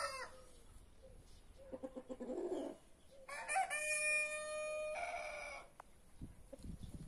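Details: Back-yard free-range roosters of mixed breeds, brahma, marans, naked neck and white star; a short crow followed by a loud, long, strongly harmonic cock-a-doodle-doo lasting nearly three seconds, with quieter clucks near the end.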